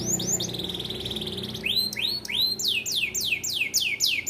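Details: Song of a small standard AF canary in bon colour, meant as a tutor for young canaries: a quick sweep into a level buzzy trill, then loud rising-falling whistled notes repeated about three times a second.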